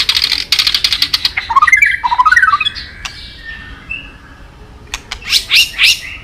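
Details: White-rumped shama in mimicry-rich song used as a lure: harsh buzzy chatter and rapid trills, a quieter thin whistle, then loud scratchy bursts.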